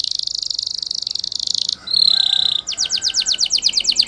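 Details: Canary singing Spanish Timbrado training song: a steady buzzing roll, a short ringing bell note, then a series of rapid downslurred whistles repeated about four times per second.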